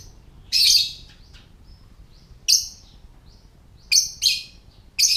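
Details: Lovebird ngetik call, said to draw other lovebirds in and bring them into breeding: a few loud harsh chirps, a long buzzy one first, then single and paired sharp bursts separated by gaps of over a second.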